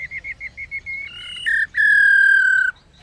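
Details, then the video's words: A female laughingthrush calls to get males singing: a run of short chirps gives way to a higher note, then a long, steady, harsh drawn-out tone that ends abruptly. "Tiếng KHƯỚU MÁI RO QUÁ HAY Kích Trống Hót Căng Mỗi Ngày"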